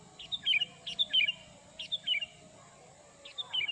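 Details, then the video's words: Sooty-headed bulbul lure call used to attract wild birds: short bright chirped phrases of two to three quick dropping notes, repeated in bursts about every second, over a steady high hum and low background rumble. "suara pikat burung kutilang"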